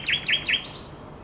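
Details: Common nightingale at the Żerański Canal, 23–24 April 2022 at night, gives three quick harsh, buzzy notes in a row, then a faint trailing whistle.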